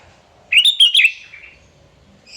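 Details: A sooty-headed bulbul sings vigorously to provoke rivals. It gives one clear burst of three or four quick, bubbly, fluty notes, followed by a fading slurred tail and a faint high chirp at the end.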